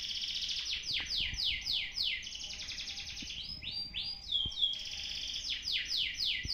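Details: Song of a canary being assessed for competition readiness, recorded on an old camera: fast rolling trills of downward-sweeping notes, varied with looping whistled phrases, steady hiss and a few faint clicks.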